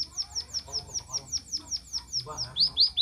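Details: Emprit (munia) song: a rapid series of short, high, downward-sweeping chirps, about two or three per second, that grow louder and sharper near the end.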